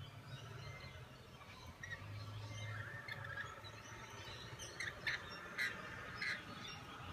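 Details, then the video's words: Lorikeets feeding each other and being fed at Copacabana give sharp, shrill screeches and chattering squawks, several in quick bursts, over a steady low background rumble. "Lorikeets feeding"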